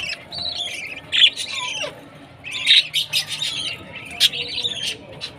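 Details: Baby budgerigar during feeding time, sparse harsh chirps and squawks in scattered bursts with quieter stretches between, plus faint background noise.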